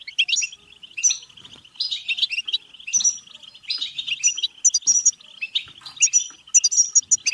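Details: European goldfinch singing bebteh, played to encourage singing and mating: phrases of quick twittering and high whistles about every second, with brief gaps.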